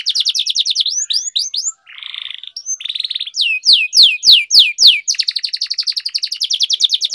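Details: Canary song for singing training, kenari gacor ngerol panjang: fast bright trill, whistled swoops, short buzzy rattles, then a series of loud descending whistles followed by a long rapid trill.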